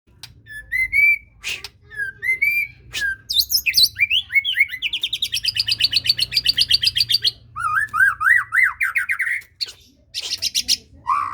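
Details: White-rumped shama song, played to coax a reluctant bird into singing: slurred upward whistles, then a long fast run of buzzy repeated notes, a wavering series of loud whistled notes, and sharp high chips between phrases.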